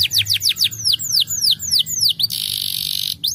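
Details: Canary song used to stimulate other canaries to sing: a run of loud descending whistled notes repeated about three times a second, then a dense buzzy rattling trill, ending with another falling whistle; faint low hum underneath.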